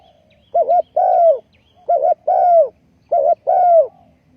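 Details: Spotted dove kept as a ground decoy for trapping wild doves, 20.04.2020: three repeated phrases, each a quick wavering double note then a longer, loud, downslurred coo, about a second apart, in a quiet setting.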